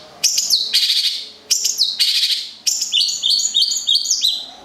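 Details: Long-tailed shrike, a local cendet from Gedong Songo, Central Java, singing three bursts of bright, rapid high chirps and twittering notes, each phrase under a second and separated by short pauses, in a quiet setting.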